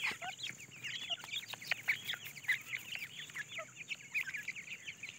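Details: Several grey francolin chicks looking for food, uttering busy high-pitched cheeping notes, short and rapidly repeated, with a few brief lower squeaks between them.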